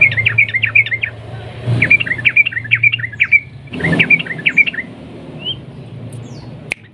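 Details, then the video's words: Sooty-headed bulbul delivering rapid 'ropel' song with clicking notes to provoke other bulbuls to sing. Three quick runs of bouncy, warbling chirps, then quiet with faint rustling and a sharp click at the end. "burung trucukan gacor ROPEL PANJANG nguklik Garuda pancingan trucuk dengan ini agar ikut gacor emosi"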